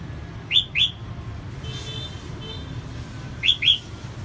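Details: Female red-whiskered bulbul singing to excite males: paired upslurred whistles, repeated after about three seconds, with faint thin whistling notes between and a low steady hum.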